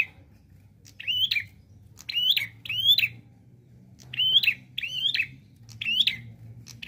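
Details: Prenjak klawu prinia in full, active song with varied 'nembak' phrasing: sharp high notes sweeping up then dropping, repeated roughly every second in clustered pairs, over a soft low hum.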